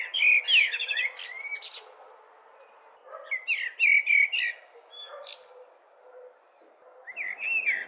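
A blackbird sings three phrases a few seconds apart, each a quick warble mixing fluty notes with high, squeaky twitters, over a quiet background.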